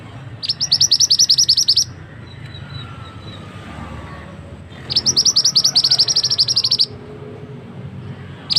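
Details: Two long, rapid series of sharp, high chip notes from a male scarlet-headed flowerpecker, a loud lure call for forest trapping, separated by a few seconds of soft background noise.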